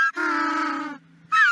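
An African penguin gives a harsh, nasal, donkey-like bray, one long note of almost a second, then a second bray begins after a short pause.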